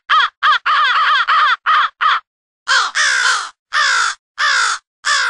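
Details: Crows from two different groups calling for an early-morning group huddle, mixed in a studio. A quick run of six harsh, clipped caws, a pause, then five longer, rasping, slightly lower caws at an uneven pace.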